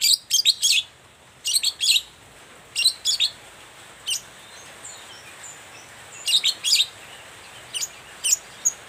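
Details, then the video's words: Long-tailed shrike in full morning song, a lure to draw responses from quiet shrikes: clustered harsh, buzzy chirps in several bursts, some fainter single notes between them, over faint background hiss. "Suara cendet gacor Pagi Hari pancingan jitu BIKIN cendet diam langsung nyaut ikutan bunyi"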